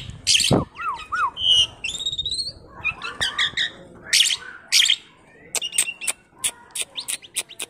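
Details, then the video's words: Talkative tame Asian pied starling, recorded as a lure for other songbirds, mixes a sharp squawk, paired looping whistles and rising whistled notes with raspy chatter and clicking ticks toward the end. "Burung jalak suren jinak dan cerewet||Masteran pancingan auto gacor"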